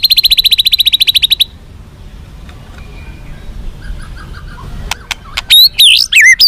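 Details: White-rumped shama song, played to make captive birds more responsive and fighting: a rapid train of about twenty high, evenly spaced notes, then quiet, then sharp clicks and loud swooping whistled phrases.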